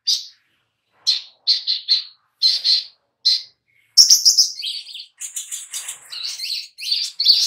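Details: Little spiderhunter lure recording to make birds sing: paired high chirps at first, then a continuous fast stream of sharp, squeaky notes.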